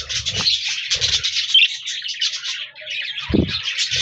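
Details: A group of parakeets (budgies), recorded 14 January 2024, chattering in a rapid stream of squeaky chirps and warbles, broken by a few low thuds.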